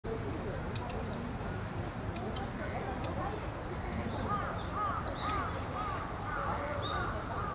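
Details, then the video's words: A female Daurian redstart gives thin, high whistled 'hit' notes, one roughly every two-thirds of a second, over a steady low rumble of background noise. "ジョウビタキ雌 鳴き声"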